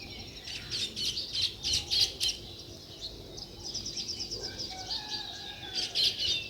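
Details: Sparrows chirping steadily: rapid bright chirps, several each second, in uneven clusters, with a few softer lower notes in the background.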